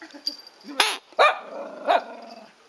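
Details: Domestic duck calling: a few loud, harsh, nasal quacks spaced irregularly, with softer low murmuring notes between them.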